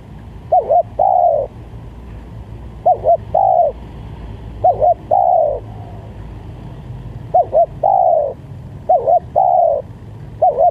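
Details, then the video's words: Lure call of a spotted dove, repeated about five times: a pair of quick bowed coos, then a longer sliding coo, over constant low background rumble. "Pikat Tekukur"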